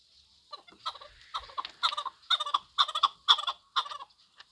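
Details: Chukar partridge calling in uneven bursts of hoarse, clucking double and triple notes, starting softly and growing louder, with brief gaps between groups.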